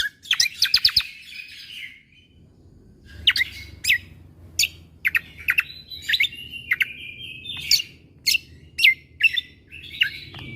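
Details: Rapid 'tembakan' song from a greater green leafbird, played to young shamas: an opening burst of fast chattering notes, then scattered sharp whistles, buzzy drawn-out phrases and quick upslurred notes, with a steady low background hum.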